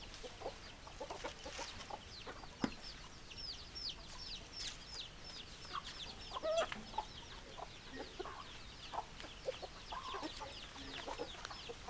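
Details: A group of hens clucking in short irregular bursts over twelve seconds, while many high, quick downslurred chirps run across most of the recording, with a steady low background rumble.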